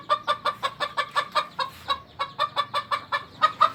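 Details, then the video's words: Captive junglefowl at a breeding facility in Aceh, clucking in a fast steady series of short harsh notes, about five per second, continuing for nearly four seconds with little background noise. "Ayam Hutan Aceh - Penangkaran Ayam Hutan"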